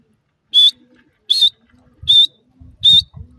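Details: Wild francolin (jungli teetar) kept at home. It gives four loud, sharp whistled notes, each slightly rising, repeated about every three-quarters of a second, with faint low cooing and rustling underneath.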